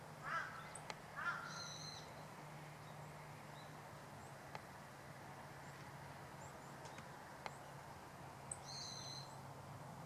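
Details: Winter meadow bunting (Emberiza cioides) recorded on 25 December 2012 on the outskirts of Hachioji. Sparse high, buzzy double chips sound near the start and again near the end. Lower clicking notes, occasional sharp taps and a constant low hum are also heard.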